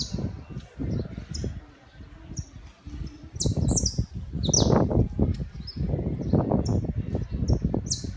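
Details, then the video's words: Urban recording of a saffron finch: scattered high, clipped chirps and short sliding notes spread across the clip, partly masked by loud, pulsing low-pitched background noise. "canto do canário da terra/NA CIDADE"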